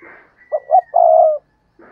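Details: Luring call of a decoy spotted dove: two brief coos followed by a long, even coo, under a thin high whistle and soft breathy noise at the start and end.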